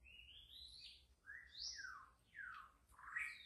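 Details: Wild white-rumped shama in deep forest, from a bird-trapping setting, singing clear whistled phrases: a long rising note, then sharp downslurred and upslurred whistles spaced about a second apart, over a faint low hum.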